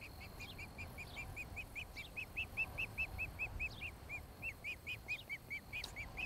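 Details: Nesting osprey pair in Charlo, Montana, recorded by a nest camera on 26 July 2018 in the early evening: a long steady stream of sharp whistled chirps, two or three each second, with faint higher downslurred notes and a low background rumble.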